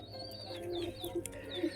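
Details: Brief, muffled low pigeon coos come in short pulses. A few thin, high whistled chirps pass overhead against a soft hum.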